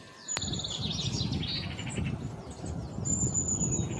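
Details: Black-throated bushtits (Aegithalos concinnus) give thin, very high calls and short buzzy trills, several overlapping, over a steady low rumble of wind.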